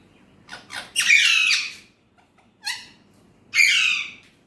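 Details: Alexandrine parakeet said to talk in Urdu/Hindi: a couple of soft clicks, then a long loud harsh squawk, a short rasp, and a final drawn-out grating squawk.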